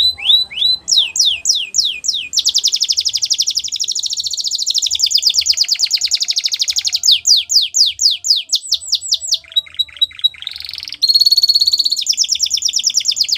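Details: Canary singing used for training young canaries: a long sequence of rapid trills, swept notes and buzzy rolling phrases, changing tour every few seconds, clean with no other sounds.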